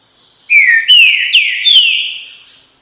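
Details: Song of a green-winged saltator in the "bom dia seu chico" style: a rapid run of four strong whistles, each gliding a little lower, ending in a long fading whistled tail over a quiet background.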